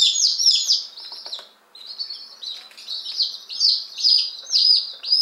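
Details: Ten Appenzeller Spitzhauben and five White Crested Blue Polish chicks, one day old and just delivered, May 19, 2015. Loud shrill peeping, briefly dipping to near quiet, then resuming in quick overlapping downward-slurred notes.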